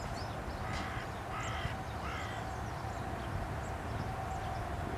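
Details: Carrion crow perched on a post at Aranoltza, Zamudio, Txorierri, Bizkaia, 12 June 2020, giving three harsh, hoarse caws in quick succession about two-thirds of a second apart, over a steady low background rumble with faint high chirps from small birds.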